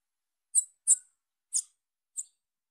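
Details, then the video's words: A young female Bananaquit gives four quick, high, squeaky chip notes within two seconds, fading slightly at the end; silent background. "FÊMEA DE SIBITE NOVINHA CHAMANDO"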